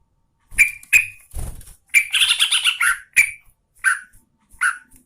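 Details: Yellow-vented bulbul female in breeding condition calling a male: sharp chirps and a low thump, a rich burst of bubbling warbled notes, then several spaced, slightly descending chirped calls.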